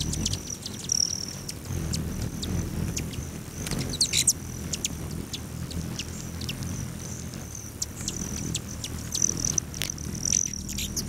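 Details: Hummingbirds around lodge feeders facing west outside Great Sand Dunes National Park, Colorado, 9:14 AM in late July; intermittent high buzzing trills and bursts of crisp chips, with a faint low hum in the background.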